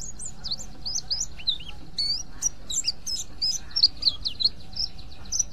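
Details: A white-eye gives its "ngriwik" call, said to be effective for luring other white-eyes: a fast, high, rambling twitter of thin chirps and quick slurred notes, with a faint low rumble underneath.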